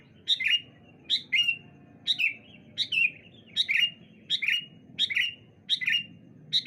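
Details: Sooty-headed bulbul song exchanged back and forth on a bright morning: rhythmic, bright chirped notes with a sharp attack and short whistled tail, repeated about every three-quarters of a second over a faint low murmur.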